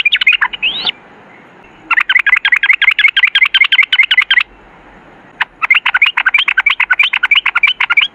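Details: Sooty-headed bulbul in long rapid 'ropel' song: extended runs of very fast, evenly repeated chattering notes, two long phrases separated by a brief pause.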